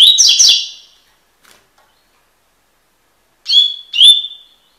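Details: Double-collared seedeater (Sporophila caerulescens), tui tui style song for tutoring: the buzzy end of one phrase, a pause, then two clear rising whistled notes starting the next phrase.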